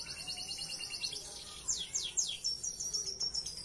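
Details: Belgian Bossu canary singing a unique-style song used as tutor material for canaries: a fast high buzzy trill, then three sharp descending sweeps and a rapid twittering roll, all bright and high-pitched.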